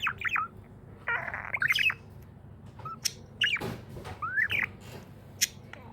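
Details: Happy pet budgerigar chirping: clusters of short squeaky, warbling notes, a rising slur near the end, broken by sharp clicks and a soft thump, with low hum throughout.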